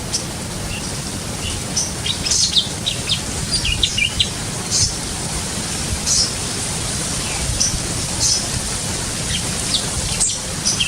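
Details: Aviary-kept Sumatran leafbird giving a run of sharp, high chirps and brief twittering notes, spaced irregularly every second or so, against steady background hiss and low rumble.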